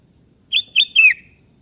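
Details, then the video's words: Sooty-headed bulbul in full song, calling a rival that answers: three quick rich, bubbly notes, the last slurring downward into a fading tail, against a quiet background. "Suara Merdu Burung Kutilang KEBO Gacor Memanggil Lawan Ikutan Bunyi"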